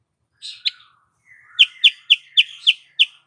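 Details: Lure call of a female sooty-headed bulbul, used to excite males into breeding condition: a soft double note, then six crisp, sharply falling chirps spaced about a third of a second apart.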